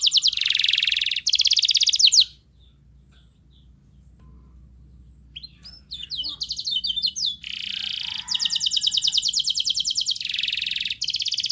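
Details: Singing canary used as a master recording: dense buzzy and trilled bursts, a quiet pause with soft scattered notes, then resumed long rolling trills alternating with harsher buzzy phrases.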